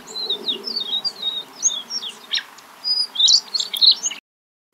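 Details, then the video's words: A flock of White-crowned Sparrows, a species found in winter flocks, gives a jumble of thin, high chips and short slurred whistles, overlapping and irregular, over a faint low rumble. "here's a flock noise from White Crown sparrows"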